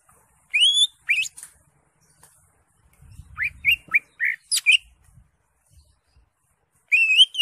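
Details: A caged green leafbird sings vigorously, meant to stir a silent caged leafbird into singing. Sharp rising whistles and short slurred notes come in scattered bursts, with a brief low rumble in the middle.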